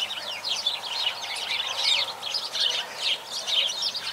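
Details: A flock of sparrows chirping continuously, dense overlapping high chirps and twitters with no pauses.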